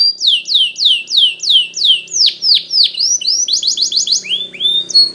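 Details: Training song of a Spanish Timbrado canary: a series of loud descending swooping whistles, roughly three per second, gives way to quicker clipped notes and a rapid ringing trill.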